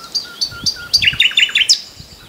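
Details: Common nightingale (Luscinia megarhynchos) song: four clear, high piping notes at an even pace, then a quick run of lower, slurred down-sweeping notes ending on a sharp, high flourish.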